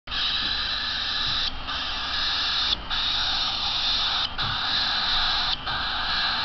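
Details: Very hungry cockatiel chicks beg for more food with a harsh, raspy hissing chatter, broken by brief pauses about every second and a half.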